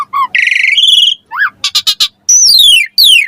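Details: Javan pied starling song used as a lure to train young starlings: mixed whistles, a steady high whistle, a rising slur, rapid harsh notes and long falling whistled slides.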